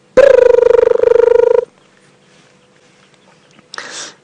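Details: During an afternoon safari drive at 4:30 PM on July 14, 2016, a Crested Barbet calls in the background: a rapid, even, low purring trill lasting about a second and a half, followed by a brief burst of rustling noise.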